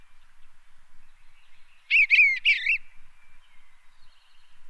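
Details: Eastern Bluebird recorded in Tennessee gives one soft, gurgling warbled song phrase lasting about a second, low and mellow, with faint distant bird notes afterward.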